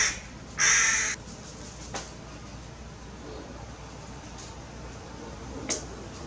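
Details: Tame hooded crow recorded in Maalot-Tarshiha, Israel, giving a single loud, harsh, rasping caw near the start, followed by quiet background with a few faint clicks and a weaker distant sound.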